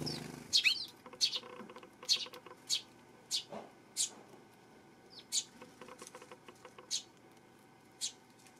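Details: Eurasian tree sparrow, 12 September, repeating bright, clipped chirps about once every half second to second, irregular and gradually thinning out, with faint rapid tapping underneath.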